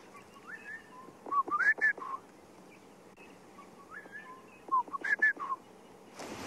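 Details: Southern boubou (Laniarius ferrugineus) calling from thick drainage-line cover at sunrise in Sabi Sand, South Africa, March 2016: two bursts of clear, liquid whistled notes about three seconds apart, with a Cape turtle dove cooing softly behind and a rustle at the end.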